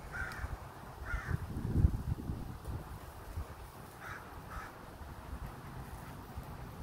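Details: Crow recorded in Minnesota making strange chittering sounds: two short rasping notes, a gap with a low thump, then two more brief notes, against constant low background rumble.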